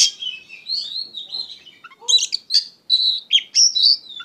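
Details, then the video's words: Oriental magpie-robin (kacer) in full gacor song, called emotional and ngeplong: a long slurred whistle first, then a rapid string of loud, sharp, high notes and clear whistles. "KACER GACOR PENUH EMOSI"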